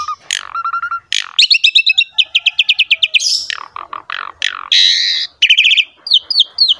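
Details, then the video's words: Rich Javan pied myna song used to train other mynas: a low whistle, then long runs of rapid repeated clicking notes, falling slurred calls, a harsh buzz and a few high sliding whistles. "MASTERAN JALAK SUREN GACOR FULL ISIAN MEWAH"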